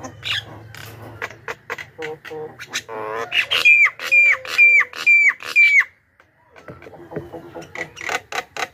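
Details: Lure recording for wild Javan mynas: chattering clicks build into five clear, down-slurred whistles repeated about every half second, then a brief silence and more clicking chatter.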